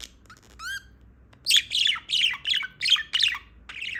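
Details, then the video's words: Recently woken female budgerigar warbles a run of rapid scratchy chattering notes, about six or seven in quick succession, after a few faint rising whistled squeaks at the start. "PERIQUITO AUSTRALIANO PIANDO/SOM DE PERIQUITO"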